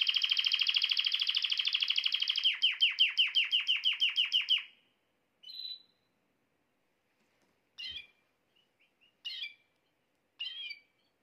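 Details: Canary song played to make a female canary take the mating posture quickly: a loud buzzy trill of rapid repeated notes for about four seconds, then a few short separate chirps with gaps of silence.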